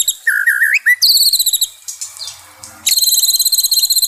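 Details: White-rumped shama song meant to calm a stressed caged bird: a low wavering whistle, then fast buzzy trills of high repeated notes, a short quiet gap, and another rapid high trill.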